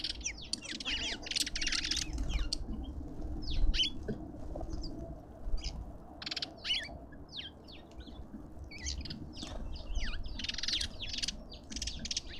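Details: Lovebirds at a garden feeder in suburban Pretoria, South Africa, keep up a steady stream of short, sharp, high chirps and clicks, loosely spaced and uneven, over a constant low background hum.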